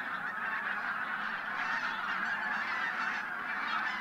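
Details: Pre-sunrise flight of more than a thousand bean and white-fronted geese at Teichland Linum, Brandenburg, in winter. Countless honks blur into a continuous, throbbing clamour that swells and dips gently.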